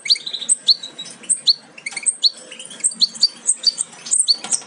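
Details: European goldfinch fledglings almost ready to leave the nest, offspring of a Major aminet-carrier crossed with Parva Ancestral, giving sharp high chirps with quick upward and downward flicks, several per second, overlapping one another.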